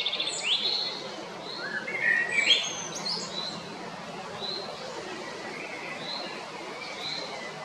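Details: Male Eurasian blackbird at Jarun, Zagreb, Croatia, on 22 April 2021: one loud fluty phrase with twittering ends at the start, then softer distant whistled notes repeated about every second against background hum.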